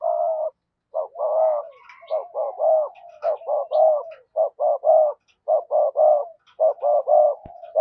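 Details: Decoy spotted dove in 'sa gù' and 'thúc bổi' style, pouring out a rapid series of short, paired coos, nearly one a second, with soft murmuring between bursts.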